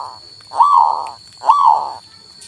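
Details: Local male zebra dove song, played to stimulate a silent bird to sing: two soft arched cooing notes, each swelling and fading over about half a second, with a steady faint high hum behind.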